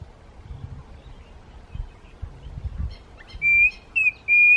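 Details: Klaas's cuckoo at Walter Sisulu Botanical Gardens, South Africa, gives three clear, pure whistles near the end, the middle one slightly higher, over a soft low background rumble.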